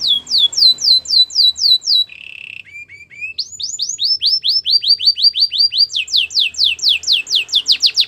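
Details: Belgian canary singing, meant for training canaries: rolls of rapid falling whistled notes, a brief low buzzy trill, then long strings of quick sweeping notes repeated about four times a second.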